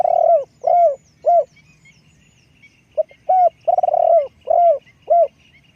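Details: Decoy spotted dove uttering a first burst of three hollow, falling coos, then after a pause a soft short note, a long rolled coo and two further deep hoots, over faint background rumble.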